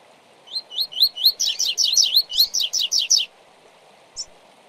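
A double-collared seedeater sings a quick run of about a dozen high, slurred notes over nearly three seconds, with steady soft background hiss.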